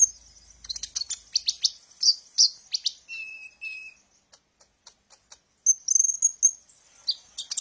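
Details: Sunbird song used as a lure to stimulate young captive birds: rapid, high twittering bursts of thin chirps, then two steady lower whistles near the middle, a quiet pause, and more bright trills at the end.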